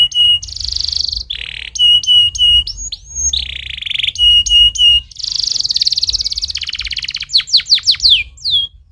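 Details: A stimulating canary song: a fast, high song of buzzy sustained rolls, crisp repeated chips and quick falling whistles, shifting between phrases every second or two.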